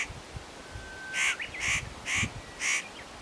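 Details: Spotted nutcracker preening and calling at Matsunokisawa-no-kashira, not noticing people nearby: four loud, grating, nasal calls spaced about half a second apart, with a faint thin whistle before them.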